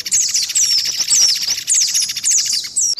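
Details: Lure track for white-eye combined with other small birds. Steady high buzzy trill with thin downslurred chirps laid over it, roughly twice a second, ending abruptly.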